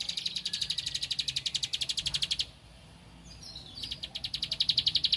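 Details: A Bar-winged prinia, hunting for a rival, pours out a dense series of sharp, high clicks for over two seconds, falls silent briefly, then starts the same rapid ticking again, building louder.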